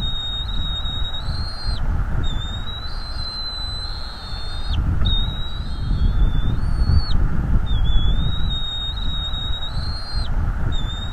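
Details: Bald eagle father guarding his North East Florida nest from an intruder, recorded by a nest camera: steady run of long, high whistled notes roughly every two seconds, each ending in a quick downward slur, over a low rumble.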